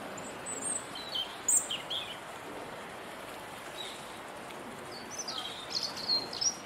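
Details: On a wet day, a robin perched on a bare twig in the Rose Garden gives scattered faint, high, thin notes and brief twittering phrases against constant hissing background noise.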